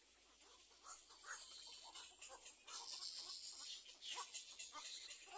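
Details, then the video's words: Young little egrets begging in a second nest: continuous overlapping harsh, wheezy rasps and chatter of uneven rhythm, growing louder after the first second. "Baby bird little egre waiting for food (2st nest)"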